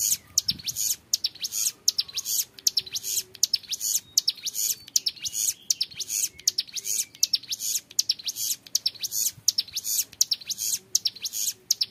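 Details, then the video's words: Hill prinia, a young bird, sings the long 'ngebren' style for song tutoring: high, buzzy, scratchy phrases repeated in steady fast pulses, over a faint low hum. "MASTERAN CIBLEK GUNUNG MUDA GACOR NGEBREN PANJANG SUARA JERNIH"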